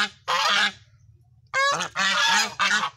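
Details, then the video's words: Loud, harsh goose honks come in separate bursts, one honk, a pause of nearly a second, then three more in quick succession. "suara hewan angsa bernyanyi"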